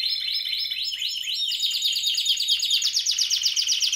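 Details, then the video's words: Spanish Timbrado canary from 2017 singing rapid metallic rolling trills, a run of repeated dropping notes giving way to a fast, even, high chattering roll. "Timbrado español original 2017"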